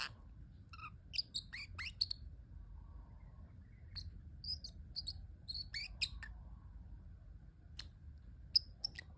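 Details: Cute sounds from a pet parrotlet: irregular high chirps, squeaks and short downward-sliding tweets spread through the recording, separated by brief pauses, above a constant soft low-frequency hum.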